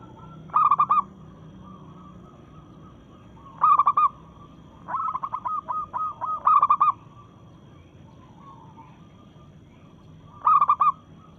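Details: Rival-challenging song of a local zebra dove in breeding condition. Bright, stuttered coo bursts come at intervals of three to four seconds, with a quicker, softer trilled coo series in the middle.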